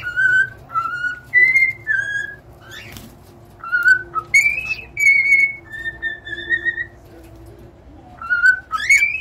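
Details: Singing cockatiel giving separated whistled notes, some sliding upward, with a soft continuous hum in the background.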